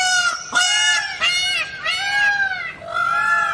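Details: Loud, harmonic, wailing calls of Green peafowl, four or five arched notes, each rising then falling, delivered close and clear over a quiet background.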